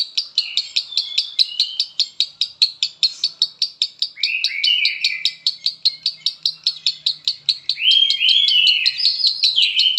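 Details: Konslet-style lovebird song from Palembang: steady, rapid chattering of high, sharp notes about two to three per second, broken twice by swooping, slurred whistles that dip and rise.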